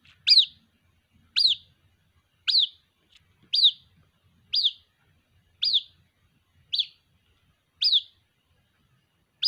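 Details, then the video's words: A white-breasted waterhen chick calling for its mother in a steady series of nine shrill, high, downward-sliding peeps, close to one per second, against near silence. "Suara anakan Burung Ruak Ruak, memanggil Induk Ruak"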